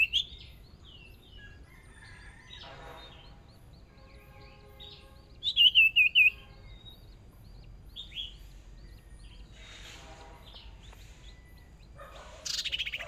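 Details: Hwamei used as a new decoy bird, brought out for its first small practice round in a fierce singing contest: scattered whistled, slurred notes, a loud rapid burst of four bright notes midway, and a harsh noisy flourish near the end.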